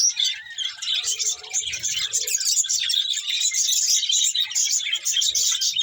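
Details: Budgerigars twitter and warble steadily in high, buzzy bursts, with a brief lower hum near the start.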